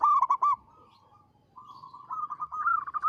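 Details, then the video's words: A local zebra dove, a prolific singer with a big, long, melodious voice, gives a quick burst of bubbly coos. A soft pause follows, then a rapid rising trill of cooing notes. "Perkutut lokal gacor suara besar panjang merdu"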